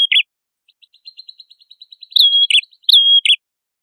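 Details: Red-headed prenjak song used as training material for songbirds: a rapid train of faint ticking notes, then loud buzzy chirps alternating with a clear, steady whistle.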